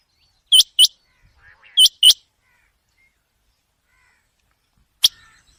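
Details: A common quail at night gives two loud, sharp double notes a second apart, then a long quiet stretch and a single clipped note at the close.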